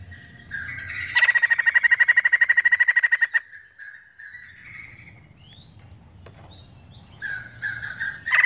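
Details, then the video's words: White-crested laughingthrush singing with emotion: a whistled lead-in, then a loud rapid chattering burst of harsh notes for two seconds, followed by softer whistles and chirps and a final loud note. "Poksay jambul gacor penuh emosi"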